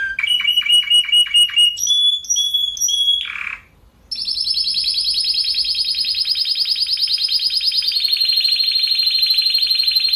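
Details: Spanish Timbrado canary, recorded to tutor and excite other canaries, sings stepped metallic notes at changing pitches, pauses briefly, then holds a fast, even roll for about six seconds that lifts slightly near the end.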